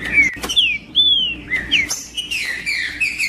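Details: Green-winged saltator song meant to stimulate other birds into singing: loud, pure whistled notes, some arching up then falling, others dropping steeply, in a quick sequence, with a couple of sharp clicks and faint background hum.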